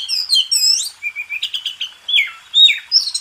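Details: White-rumped shama (kacer) master song for contest birds; looping high whistles, a stuttering run of short notes, then slurred and rising whistled phrases.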